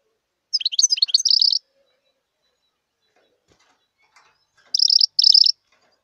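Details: A wild European goldfinch gives two brief bursts of liquid twittering separated by about three seconds. The second burst is a pair of quick, buzzy trilled notes. Faint rustles sound between phrases.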